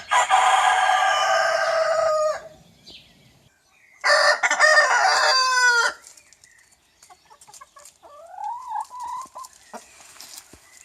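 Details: Young rooster crowing: a loud, harsh, drawn-out crow of about two seconds, a second shorter crow ending in a falling note, then softer rising clucks and chatter.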